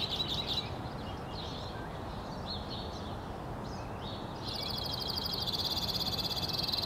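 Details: Male white-winged crossbill in song in northwest Regina, Saskatchewan, Canada, April 3, 2017, where females were carrying nesting material: scattered slurred chirps and warbles for several seconds, then a sustained rapid buzzy trill to the end, over low rumbling.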